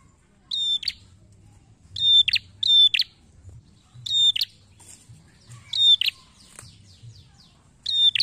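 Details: Red-headed prinia (prenjak kepala merah), used as a lure sound, gives sharp, high, buzzy chirps in short bursts about every second or two, with a faint low hum underneath.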